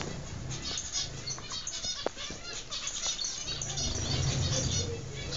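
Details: A flock of zebra finches kept in captivity for breeding in Constantine, Algeria, 2016, keeps up a dense chatter of short, high, nasal chirps over a low hum and some wing flutters.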